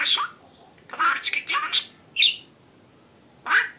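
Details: Domestic budgerigar chattering in raspy imitated speech, several syllables run together, then a clear rising chirp and a final squawky word.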